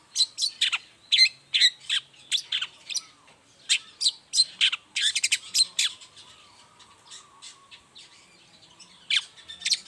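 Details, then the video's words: Long-tailed shrike in lively morning song, used as a lure to prompt other shrikes to answer: a rapid series of sharp, high chattering notes and short sweeps in bursts, then a quieter stretch with faint background chirps before more notes. "toet toet Suara cendet gacor Pagi Hari pancingan jitu BIKIN cendet diam langsung nyaut ikutan bunyi"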